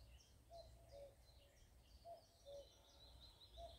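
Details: A common cuckoo in Shropshire in spring, May 2024, gives its soft, falling two-note cuck-oo about every one and a half seconds, with thin chirps from small birds and a low background rumble.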